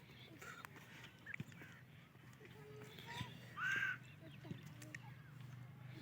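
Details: Female grey francolin, locally Teeter Madi, giving one loud, rasping call near the end of a stretch of low hum and scattered clicks. The call serves contact with her mate and chicks.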